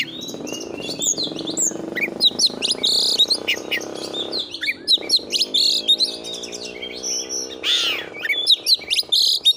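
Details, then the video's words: Energetic song of an Oriental magpie-robin (kacer) used as a tutor recording: a continuous stream of high chirps, trills and whistled notes over a steady low droning hum, with one downward-sweeping whistle near the end. "Masteran burung Kacer AUDIO JERNIH BUAT ANGKAT EMOSI AGAR CEPAT ON NGOBRA,Kacer gacor"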